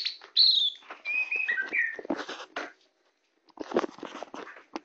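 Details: Hand-tame black-bellied Oriental magpie-robin singing: a few bright descending whistles, then rough, scratchy chattering notes, a silent gap, and more harsh chatter.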